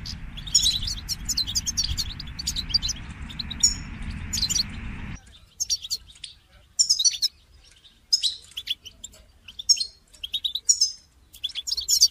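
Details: Goldfinch song meant to prompt a caged goldfinch to sing: high tinkling twitter phrases throughout, with a broad background hiss during the first five seconds that then stops abruptly.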